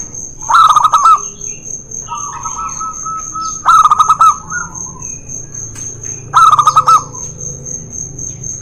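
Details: Zebra dove duel, local against white, played to get reluctant doves singing: three loud clicking bursts, each followed by a short trilled coo, while a steady high-pitched whine runs underneath.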